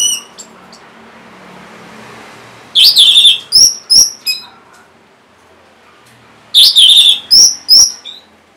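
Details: Song of the orange-headed thrush used to prompt reluctant birds to sing: two loud bursts, each a rich warbled phrase followed by several short sharp whistled notes, with quiet gaps between.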